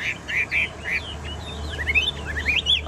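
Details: Chinese hwamei kept in a cage, singing varied whistled phrases, some slurred upward and some falling, over a low background hum.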